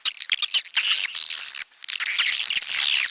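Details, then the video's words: Swiftlet calls forming a dense, continuous chatter of high, squeaky twitters and chirps, with one brief quiet pause midway. "SUARA BURUNG WALET"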